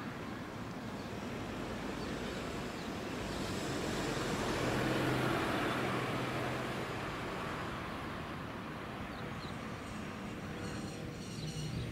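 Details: A vehicle passes with a broad rushing roar that swells near the middle and fades, with no animal calls heard.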